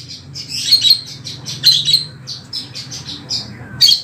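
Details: Wambi singing, recorded to train oriental magpie-robins and other cage birds; short high chirps and squeaky notes in uneven bursts over a faint low hum.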